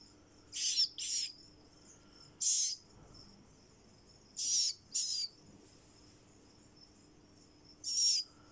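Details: Captive kakariki chick giving short, harsh, hissing high-pitched calls, mostly in quick pairs, with pauses of one to three seconds between bursts; faint steady hum and a few soft clicks in the background.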